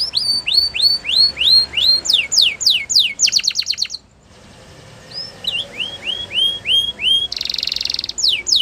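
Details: Spanish Timbrado canary repeating clear rising whistles in steady rhythm, a quick descending run, a brief quiet gap, then more rising notes and a dense rolling trill.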